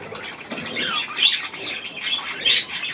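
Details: Budgerigars with their young near millet, short harsh squawks and upward-sweeping chirps spaced irregularly, with quieter chatter between them.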